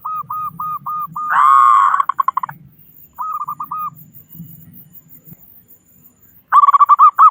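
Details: Zebra dove, a local bird with a big voice, singing to prompt other doves into song: a quick series of short, even cooing notes, then a drawn-out trilled burst, more clipped notes, and another rolling trill at the end.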